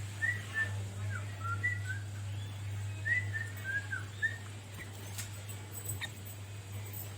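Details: Sooty-headed bulbul singing a varied song after being tutored with recorded songs; short clear whistled notes and slurred gliding phrases come in quick bubbly groups, with a steady low electrical hum underneath.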